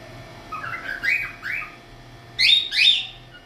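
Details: A cockatiel cleaning its wings gives a short series of rising, squeaky whistled chirps in quick bursts.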